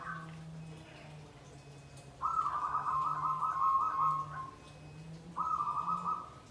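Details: Zebra dove 'nggandem guaring' song: long rippling, warbled coo phrases at steady mid pitch, one lasting over two seconds, over a constant low electrical-sounding hum.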